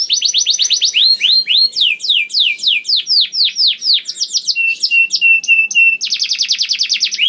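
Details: Young canary, sung as a lure to get other canaries singing quickly: rapid falling whistled sweeps repeated about four per second, a fast buzzy trill, steady flat whistles, then a dense rattling roll.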